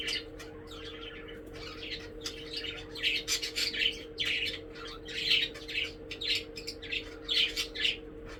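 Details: Pet budgerigars at after-breakfast play time chatter with busy, scratchy chirps and squawks in quick bursts.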